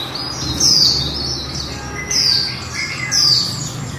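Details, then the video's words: Female white-eye in líu twittering song: three clear, thin, falling high notes spaced about a second apart, linked by softer chirps, with a low hum in the background. "Khuyên mái líu đẳng cấp THẾ GIỚI"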